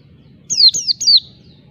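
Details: Oriental white-eye giving a wild-style 'ngalas' song while seeking a rival: a brief phrase of three thin, high whistles, each sliding steeply downward.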